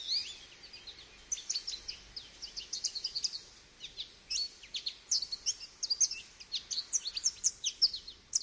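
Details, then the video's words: Goldfinch song of rapid, high liquid twitters and trills, dense and nearly unbroken, with faint background noise. "Goldfinch Bird Sounds"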